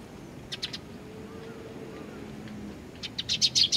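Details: Young birds waiting for their parents, recorded 25 June 2020 at a Tenmangu shrine in Nakanoshima; short bursts of high, buzzy chirps at the start and a rapid, louder cluster of begging calls at the end over soft background hum.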